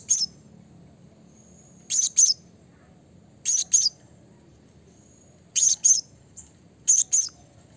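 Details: Blue-crowned hanging parrot, a lure call meant to provoke rival birds: high, piercing double squeaks given in pairs, each pair separated by one to two seconds of near silence.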